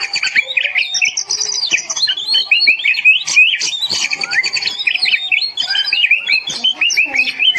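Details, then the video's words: Master song of the oriental magpie-robin, or kacer, for coaxing mute birds into full voice: dense, high, fast-changing whistles and sharp chirps that run continuously, some notes rising steeply. "tempel masteran kacer ini ,100% ikut gacor dan emosi"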